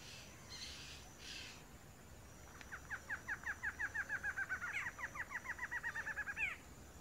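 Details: Male barred antshrike singing in the wild in Brazil: a fast series of short, bouncing notes speeds up and rises slightly, then ends in a sharper, higher closing note, over steady background hiss.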